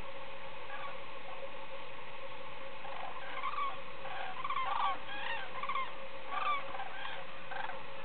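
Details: Common cranes returning at the end of the day to the shore of Lac de Puydarrieux, France; several loud trumpeting, rolling calls overlap from about three seconds on, repeated in bursts over steady low background rumble.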